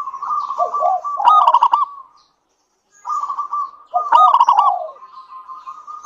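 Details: Local zebra dove, a keen singer, whose song is used to prompt other doves to sing: two phrases about three seconds apart, each a low rolling coo breaking into quick staccato knocking notes, then a drawn-out purring trill.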